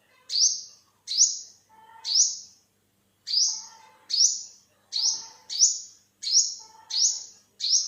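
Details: Yellow-bellied or olive-backed sunbird calling in 2021: three sharp, high upswept notes, a pause of about a second, then eight more in quicker succession.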